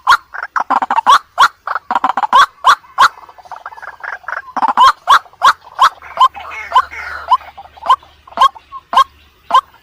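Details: White-breasted waterhen calls given as short, harsh repeated notes in an uneven series, bunched at first then spaced out, with a faint hiss and rustle behind them.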